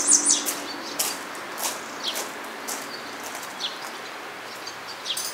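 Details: Grey wagtail at Agano, 16 May 2018, gives a quick pair of sharp, high tzit notes at the start, then scattered faint high ticks over a quiet outdoor hiss.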